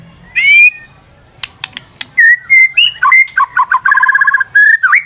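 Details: Lure song of a white-rumped shama. A single rising whistle is followed by sharp clicks, then a stream of varied whistles and a fast warbled series.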